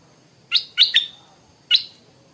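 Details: Stripe-throated bulbul singing in the morning, clear sharp chirped notes in a group of three followed by one more after a pause.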